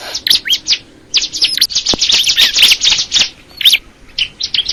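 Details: Crystal ciblek, a bar-winged prinia, singing hurried high chirps that merge into a buzzy, rapid trill, then scattered sharp notes with short gaps.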